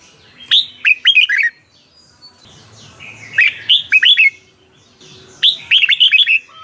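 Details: Caged Red-whiskered bulbul from Thailand, song played to excite cage birds: three bursts of quick, bright, warbling notes with rising and falling slurs, each burst about a second long, roughly every two and a half seconds.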